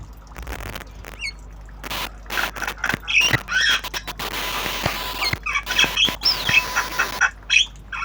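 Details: Tame black-winged starling in the obyogan singing style, learning sounds: a busy run of harsh chattering notes and squeaky whistles with rising and falling slurs, bursts of broadband rasping between them.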